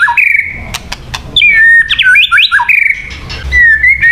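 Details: White-rumped shama lure song: long clear whistles held steady, a burst of fast twisting notes in the middle, and sharp clicks between phrases.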